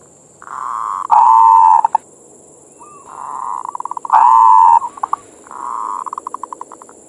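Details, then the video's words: Local perkutut, a zebra dove, in manggung song meant as morning bait or therapy to arouse other doves: loud drawn-out coos alternate with trains of quick staccato notes, bouts about every three seconds, over a thin constant whine. "suara perkutut pancingan birahi"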